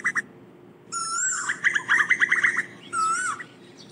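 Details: Asian koel calling to its flock: two brief chirps, then a clear whistled note breaking into a quick bubbling run, then a second short whistle.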